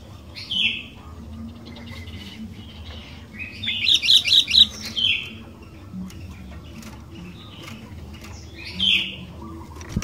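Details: Sooty-headed bulbul, a vocal bird used to prompt other bulbuls into singing: short bright chirps and a quick warbled burst of notes near the middle, with fainter birds calling in the background and a low steady hum.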